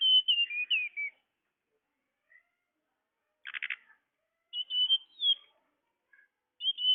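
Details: Tledekan bird sound used as a lure for trapping birds: high, thin whistled phrases that waver and dip, broken by a short harsh buzzy chatter mid-way, then the whistles resume, with quiet gaps between.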